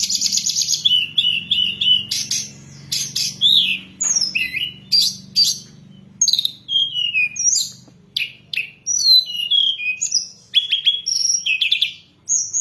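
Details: Lure and training recording of hill blue flycatcher song: a rapid run of high whistled and trilled phrases, many short bright notes with descending slurs, sung almost continuously with brief gaps.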